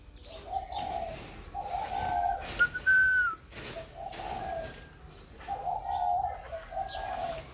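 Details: Boxed spotted dove just sold to a customer, calling normally. Soft low cooing phrases at the beginning and again toward the end, broken by a clear rising whistle from another bird in the middle.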